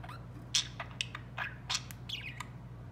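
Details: Pet budgerigars, three birds kept together and playing, give quick chirps and short squawky notes, some sliding down in pitch, spaced irregularly over a low steady hum indoors.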